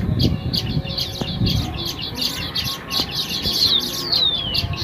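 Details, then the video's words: Several baya weavers gather around a newly woven nest, keeping up dense high chirping with quick twittering notes and a few thin downslurred whistles over a low rumble. "Baya Weaver The birds are celebrating their new home"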